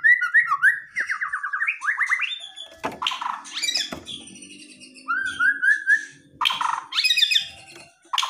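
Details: White-rumped shama, aggressive song meant to provoke a response from quiet birds: loud whistled phrases around mid pitch, rising and falling slurred notes, interrupted by harsh buzzy bursts and varied high chatter, phrases in quick succession.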